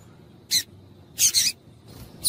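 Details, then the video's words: ['High, rasping chips of a female double-collared seedeater, a call used to warm males up to sing; a single chip, then a doubled burst, then fainter notes near the end.'] "Piado de Fêmea de Coleiro para Esquentar Coleiro"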